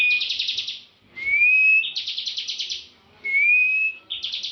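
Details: Competition-trained bar-winged prinia singing in the lively 'ngebren' style: dense buzzy trill bursts alternating with slurred rising whistles, the pattern cycling roughly every two seconds, with no other sounds.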